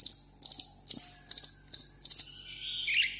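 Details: Caged seven-coloured sunbird in solo contest song: very high buzzy chip bursts, about six in three seconds, ending in a lower slurred note.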